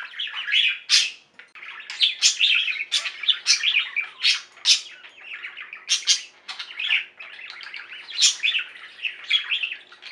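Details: Pet budgerigar flock singing and chirping: a dense, continuous warble of scratchy chirps, squeaks and clicks, with sharp high notes bursting out every second or so over steady chatter.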